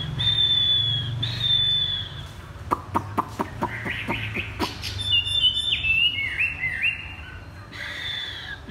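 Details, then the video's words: Caged Chinese hwamei with "thắt cổ chai" song: high level whistles, a run of sharp clicks, then stepped, downslurring whistled notes and a warbling phrase. "Chim hoạ mi đặt đất hót thắt cổ chai thắt cổ chai"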